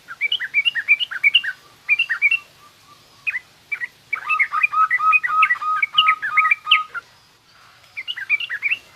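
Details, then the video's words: Yellow-vented bulbul in garuda and rough ngriwik song for teaching juveniles: continuous bubbly chattering phrases over a steady thin whistle-like tone, with quieter background hiss. "suara burung trucukan garuda lanjut trucukan ngriwik kasar ini pas tuk terapi trucuk muda ajar bunyi"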